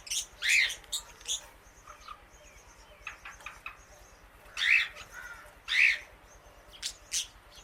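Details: Female Indian ringneck parakeet outdoors eating grass among many birds; three loud harsh screeching squawks spaced several seconds apart, with softer scattered chirps and short notes from other birds between them.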